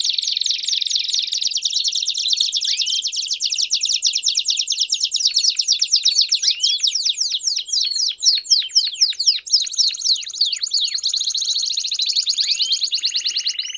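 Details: Campainha-style canary song with chirps, a tutor recording for young canaries: long unbroken run of fast high trills changing tour every few seconds, with sweeping upslurred notes and a brighter, higher section near the end.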